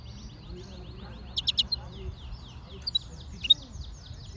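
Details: Yellow-fronted canary giving a rapid, high, buzzy trill of repeated down-slurred notes, broken by a few sharp loud clicks, with quiet low hum beneath.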